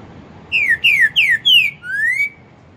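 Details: Loud whistled phrase from a Green-winged saltator of the 'pantaneiro 4 nota boi' song style: four crisp notes slurring downward in steady rhythm, followed by one long, softer note climbing upward. Little other sound.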